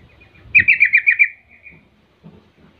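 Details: Yellow-vented bulbul song used as a lure to provoke rival bulbuls into replying: one loud, bubbly burst of about six quick pulsed notes, fading into a softer trailing twitter, with light background rustle.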